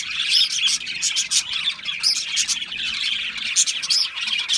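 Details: Budgerigars chattering as a flock, a dense, continuous warble of high chirps and squeaky notes, with sharper whistled peeps standing out every second or so.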